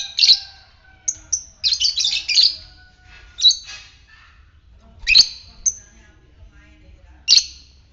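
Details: Lovebird of fighter type used as a lure to stimulate others to trill: loud shrill squawking chirps in irregular bursts, some doubled or in quick clusters, separated by short silences.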